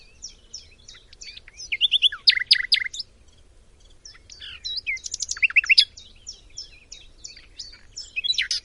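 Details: Macedonian nightingale, locally called bilbil, delivering two rich phrases of dense, rapid, varied high chirps and trills separated by a short pause, then further scattered bright notes.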